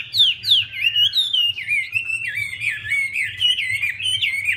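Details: Female Chinese hwamei dancing to urge the male on; clear, loud whistled phrases sweeping down, then a steady wavering stream of looping slurred whistles.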